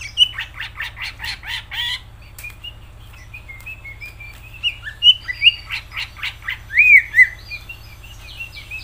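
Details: Greater green leafbird (Chloropsis sonnerati), song.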